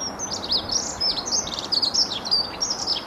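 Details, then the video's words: Songbirds and garden birds at Bedhampton Railway Station give a busy overlapping chorus of high, quick chirps and short twittering phrases over steady background hum. "A Few Song Birds and Garden Birds at Bedhampton Railway Station"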